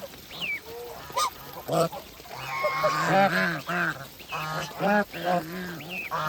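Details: Geese eating on a farm, a dense chorus of nasal honks and cackles with rich harmonics, rising to a continuous clamour midway, with short whistled notes in between.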